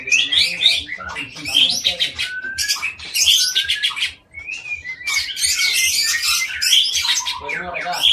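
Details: An Aceh white-rumped shama, long-tailed captive breeding bird in Indonesia, sings high, fast bursts of scratchy chatter broken by clear short whistles, a brief dip in volume midway, faint low pulsing below.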